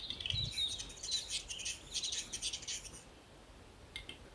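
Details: Capercaillie cock courting at a lek in Finland at first dawn, perched on a thick branch of a lookout tree with fanned tail, performing to impress females; a fast dry run of scraping clicks for about three seconds, then near silence with one faint note.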